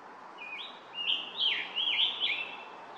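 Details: Scarlet tanager singing along the south side trail, Stony Brook Audubon Wildlife Sanctuary, Nikon Coolpix P1000 recording: a quick run of six hoarse, robin-like phrases, rising and falling, growing louder toward the middle, over faint background hiss.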